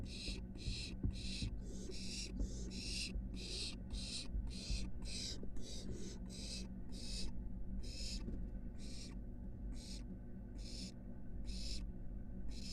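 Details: Barn owl nestling at a University of Florida nest box climbing toward the building roof: a long run of quick, overlapping breathy hisses, crowded at first and then spacing out, over a low droning hum.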